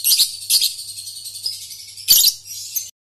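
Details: Young lovebird training lure for the ngekek trill: continuous high, rattling chatter with two louder bursts, one early and one after two seconds, above a soft low hum.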